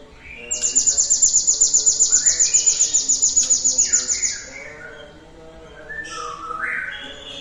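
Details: Cinereous tit song, used as a lure to set other birds singing: one long, piercing, high trill of quick identical notes lasting about four seconds. Fainter, lower, slurred chirps and warbles from other birds follow.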